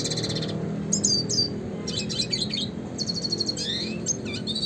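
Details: Classic red siskin song, kept as a master recording for training songbirds: bursts of high, sharp chirps and quick downward-sweeping whistles separated by short pauses, over a low steady hum.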